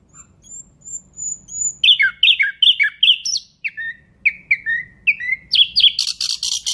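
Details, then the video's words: Nightingale song beginning with soft high whistles, then a regular series of loud downslurred notes, repeated in a second varied run, ending in an intense buzzy rattle. "Nightingale bird singing Beautiful"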